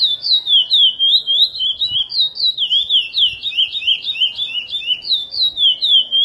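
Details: Chestnut-bellied seed finch singing curió praia song, edited for teaching; a long rapid sequence of sweet, looping whistles rising and falling, near four notes a second, with a brief buzzy flurry in the middle.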